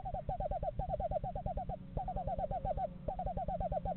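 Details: Screech owls, a pair checking out a nest box in a yard in November; fast trilled runs of short hooting notes, several bursts with brief pauses between, over a low steady hum.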